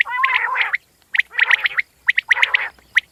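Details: Common quail opening with a low, throaty gargling phrase, then sharp clipped notes in small groups after a brief pause, ending on a single note.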